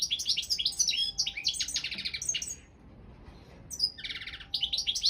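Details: Competition song of a Balkan goldfinch, Carduelis carduelis balcanica, for a world championship held online: bright tinkling twitters and a rattling buzzy trill, a short silence, then another buzzy trill and chirps; faint steady hum beneath.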